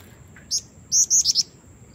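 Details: A female black-winged flycatcher-shrike calls to draw in a male, giving one isolated high note and then a quick run of four thin, sharp notes over a faint steady hum.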